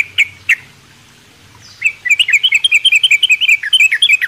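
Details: Morning song of a sooty-headed bulbul kept in a mini aviary: two sharp chirps, a pause, then a rapid, jittery chatter of high twittering notes running without a break.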